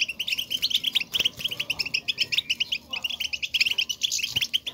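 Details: Goldfinches exchanging presence calls ('bitbita'): evenly repeated short liquid chirps in quick bursts, many birds overlapping, with sharp high accents and a brief clatter.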